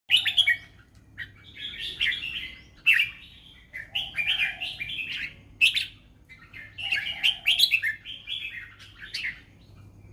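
A red-whiskered bulbul sings bright, bubbly phrases of chirpy whistled notes, repeated every few seconds, with a faint low hum in the background.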